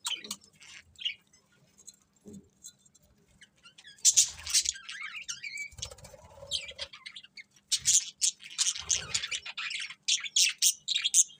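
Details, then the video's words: Budgies singing happily while eating: scratchy warbles and squeaky chirps with rustling and pecking sounds between, then a fast sequence of loud, clipped tweets near the end. "Happy Budgies Singing and Eating | Love Birds Chirping Sounds"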